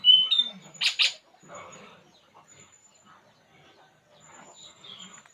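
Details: Puling bird calling while relaxing: a sharp high whistle opens, then two loud buzzy chirp bursts around one second, followed by faint scattered twittering and soft low rustling.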